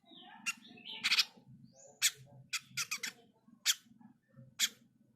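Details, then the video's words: Jenggot mini bird, said to be in full voice, delivering a string of sharp, irregular, harsh chips and short notes spaced unevenly, with a constant low droning hum underneath. "Jenggot mini gacor"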